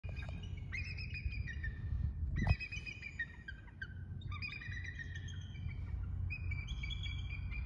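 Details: Bald eagles flying overhead call out to one another, trading thin, squeaky piping chatters in quick descending runs, answering back and forth over a low wind rumble, with one sharp knock midway.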